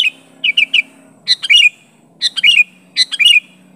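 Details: An active sooty-headed bulbul calls out to a rival. It gives a quick run of three clipped chirps, then fuller bubbling phrases of clicks and rising liquid notes, each about a second apart.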